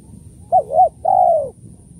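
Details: Spotted dove giving its kuk 1-2 style call, used to lure doves: two short arched coos followed by one long, slightly falling coo, all mid-pitched and clean over a quiet background.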